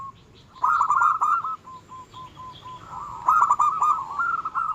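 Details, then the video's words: Zebra dove, local type, singing energetically to rile and arouse rival birds: rapid chattering coos in runs, then a sparse series of evenly spaced single soft notes before another fast, rolling burst. "Suara kutut lokal gacor yang bikin emosi lawan ahlinya menaikkan birahi lawan"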